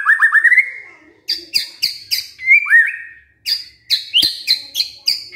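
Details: Shama lure song meant to rouse a lazy white-rumped shama: a rapid trill of rising whistles, a pause, then loud emphatic chip notes alternating with a drawn-out slurred whistle.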